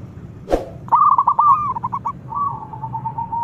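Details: Local zebra dove singing to invite rivals: after a sharp knock, a run of short staccato cooing notes speeds into a steady, even trill, over a low background hum.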